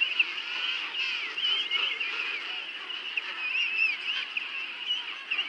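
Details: Crowd of penguins at Fortuna Bay calling together: unbroken overlapping braying and warbling notes from many birds, with a few clearer rising and falling trumpeting calls standing out.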